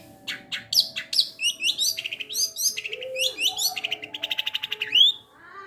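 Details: Captive long-tailed shrike delivering mixed mimicked material (sparrow, petir, kuntilanak, tengkek buto): quick varied chirps, rising whistles and a fast trilled run near the end, with a faint steady tone underneath.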